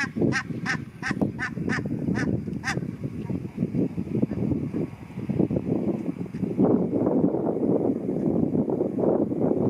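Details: A flock of barnacle geese on a river gives a run of sharp, yapping barks about twice a second, then settles into a constant low, busy chatter.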